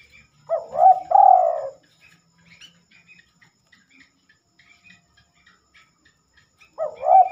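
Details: Spotted dove (terkukur) singing at night, something it rarely does: a low, mellow two-part coo phrase, then a quiet pause filled with faint high chirps, and the coo phrase starting again near the end.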